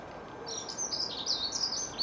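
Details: Songbird singing a continuous high, warbling twitter of quick rising and falling notes, with a steady background hiss.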